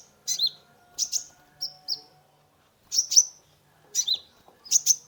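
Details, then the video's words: Sunbird (kolibri ninja) used as a lure for a stressed caged bird; clusters of sharp high chirps and short whistled slurs about once a second, in a quiet setting. "Terapi pancingan konin gacor full isian mengatasi burung stress !!"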